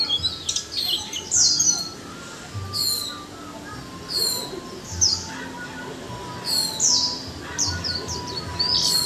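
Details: Caged Japanese white-eye, one month in the cage, uttering short chattering 'líu choè' phrases: brief high twittering bursts about every one to two seconds, with quieter gaps and a low background hum.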